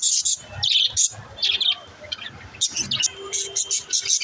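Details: Chirping budgies, played to help lonely budgies chirp, give quick high twitters and scratchy warbled bursts in uneven runs, with one thin sustained tone midway and low murmuring noise beneath.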